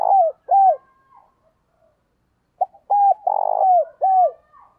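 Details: Decoy dove cooing, used to train and provoke other doves: short, mellow coos slurring downward, in quick bursts separated by a pause.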